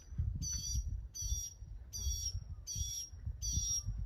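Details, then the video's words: A mockingbird's song of harsh, buzzy, layered notes delivered in five even bursts about every 0.7 seconds, over steady low-frequency background rumble. "Songs of a mockingbird."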